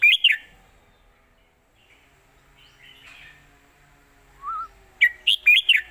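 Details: Red-whiskered bulbul song in old southern Thai style phrases, a master song for teaching birds: a bright warbled burst opens, faint notes fill a quiet middle, then four quick loud whistled notes close.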